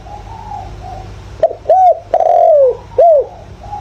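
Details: Spotted dove decoy call used to rouse wild doves: after faint background cooing, one loud phrase of a short coo, an arched coo, a long descending coo and a final rounded coo.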